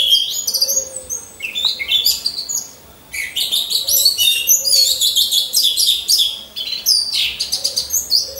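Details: Orange-headed thrush in a cage, hung alongside others in a row for training as a lure sound; continuous energetic high-pitched song of chattering trills and sharp whistled fragments with only a brief pause.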